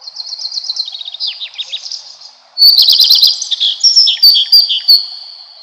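A redstart sings high, sweet phrases: a clear opening note running into a quick, scratchy twitter. Two such bursts in quick succession, with no other sounds.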